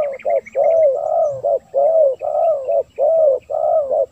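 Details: Spotted dove call recording used as a lure for wild doves: low hooting coos in paired short-and-long phrases, repeated steadily about once a second, clear and loud over a quiet background.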